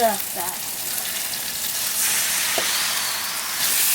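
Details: Steady sizzling hiss like food frying, with a few brief fragments of human voice near the start.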